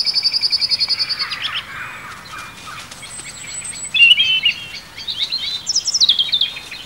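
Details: Common blackbirds at Mount Grace Priory in July give sharp, high alarm notes at a stoat, in a fast, insistent series, about three or four a second, then break into scattered chattering calls.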